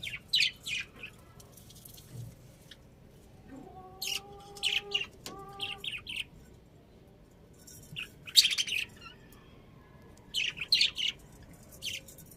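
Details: Pet budgerigars giving clusters of short, bright high chirps at intervals, with a few lower, longer harmonic whistled notes in the middle, over a quiet background.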